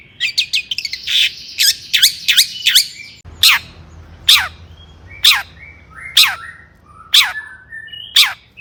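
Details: Long-tailed shrike in full, agitated song meant to rouse other shrikes: a quick run of scratchy chirps, then sharp descending whistled strokes spaced about one second apart, with short buzzy tails and a low background hum.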